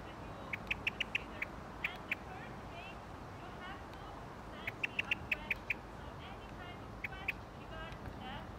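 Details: Eurasian blackbird in Ljubljana Botanical Garden, Slovenia, 6 May 2024, giving sharp, clicking chinks in quick bursts of four to six, repeated three times, with faint warbling and steady background hum.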